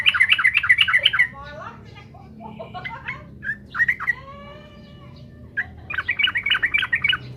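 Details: Yellow-vented bulbul song meant to provoke rivals: a rapid run of bubbly, warbling notes, then scattered slurred whistles, then another quick chattering series at the end. A faint low background hum is present.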